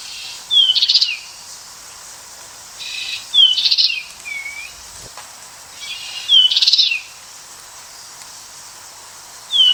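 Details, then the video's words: American goldfinch singing a repeated phrase roughly every three seconds. Each is a descending whistled note and a bright buzzy burst, sometimes followed by a soft falling slur, against a very quiet background. "Beautiful Goldfinch Bird Sound"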